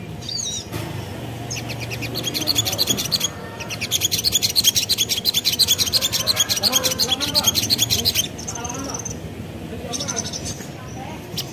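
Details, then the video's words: Spiderhunter song used as a lure to draw replies from other spiderhunters: a long burst of rapid, high, metallic chipping notes, roughly three a second. A voice speaks briefly at the start, with a few thin whistles near the end. "Burung Sogon Manapun Bakalan Langsung Nyaut Dengar Suara Sogon ini"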